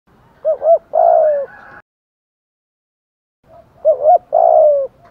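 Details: Spotted dove decoy calling to lure other doves: twice a two-part phrase of short hooting coos followed by a long, descending, slightly burry coo, separated by about two seconds of silence.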